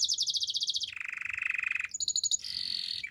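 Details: Canary singing a trained-style song: a fast high rolling trill, then a lower steady buzzy trill for about a second, a brief sharp chip series, and a high thin sustained warble ending in a falling note.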